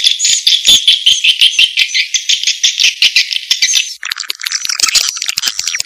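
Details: Swiftlet calling sound, 'janda' Vietnam style: four seconds of steady high twittering chirps, then a shift to a harsher, broader rattling chatter of rapid clicks.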